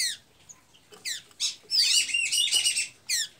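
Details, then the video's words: Blue-gray tanager singing in Santa Inês, Maranhão, Brazil: sharp high descending squeaky notes, then a dense twittering, warbled phrase of interlaced high notes, closing with another quick falling squeak. "Pipira azul cantando muito"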